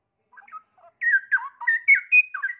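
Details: A caged straw-headed bulbul, its tail still regrowing, sings with wild forest-song elements: soft, scattered opening notes, then a loud cascade of mellow, rolling whistles that climb higher toward the end.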